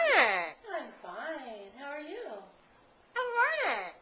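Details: Pet parrot indoors saying "How are ye" in old-timey talk: a sequence of voice-like mimicked syllables with gliding tones, a pause, then a louder rising-falling phrase.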